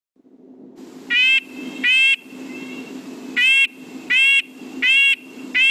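A Red-breasted Nuthatch gives nasal, tinny 'yank' notes like a tiny tin horn, six in under six seconds, over a low steady hum.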